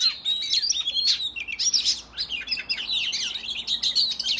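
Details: Oriental magpie-robin delivering a combative song aimed at rival males: loud rising and falling whistled slurs mixed with harsh chips, steady and continuous over a faint background hum.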